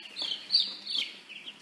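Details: Young chickens raised at home as pets give loud, high, slurred peeps, several quick downward-sliding notes in a rapid burst, with faint quieter peeps trailing off.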